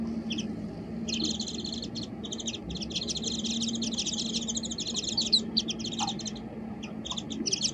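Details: Warbling white-eye giving a fast, continuous twittering of high, tightly repeated notes in short bursts, over a steady low hum and rustling background.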